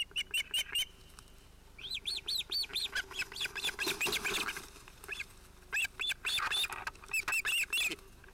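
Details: At a Finnish osprey nest on 31 July 2018, with a breeding pair and two likely male chicks, one chick intruding: bursts of shrill arched whistles separated by quieter gaps, with a flurry of wing noise midway.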